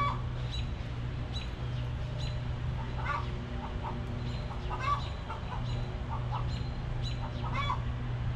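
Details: Backyard hens clucking while relaxing in their coop: dense, short, clipped clucks scattered throughout, several birds overlapping, over a steady low mechanical hum.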